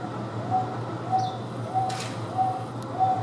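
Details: Wonga pigeon in the Houston Zoo enclosure shared with Taveta weavers: five evenly spaced mid-pitched coos, some soft, about 0.6 seconds apart, with a brief high chirp, a short noisy burst and a low droning hum.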